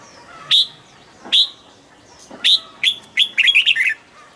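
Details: Red-whiskered bulbul in a cage, singing to stir up other birds: three evenly spaced sharp chirps about a second apart, then a quickening burst of warbled, slurred whistles.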